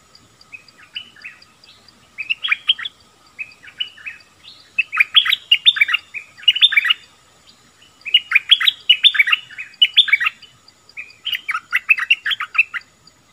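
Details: Bulbul repeating chattering song phrases roughly every two seconds, each a cluster of quick, bright, warbled notes, growing fuller and louder as the sequence continues.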